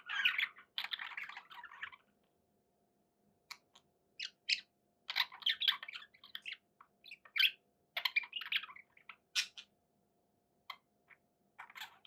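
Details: Pet budgerigars, several birds, give bursts of scratchy chirps and warbling chatter with short squeaky notes, broken by pauses of silence and a faint steady low hum beneath.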